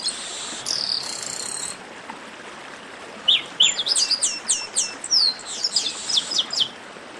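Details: Chestnut-capped blackbird in a lively baderna-style song, played to warm up singing birds: a few rising whistled notes open into a fast, excited run of sharp chirps and trills, after a brief electronic tone.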